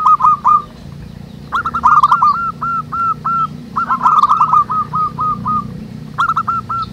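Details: Wild local zebra doves cooing in a group, recorded as a lure for other doves: repeated bursts of rolling, rippling coos about four per second, with a low background hum.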